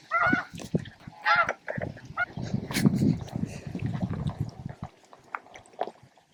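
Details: Snow geese, thousands feeding, grooming and facing off for space around noon at Bosque del Apache; a few loud nasal honks open the clip, then a busy low murmur of the flock with scattered calls.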